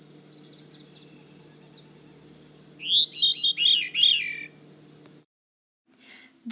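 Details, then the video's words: Veery singing at Manchester Cedar Swamp Preserve, New Hampshire, in damp swampy woodland; a metallic, whirling phrase of rapid rolling notes descending slightly in pitch, preceded by a faint thin high trill, with short pauses between phrases. "The Veery song sounds like a metallic whirl that descends slightly in pitch."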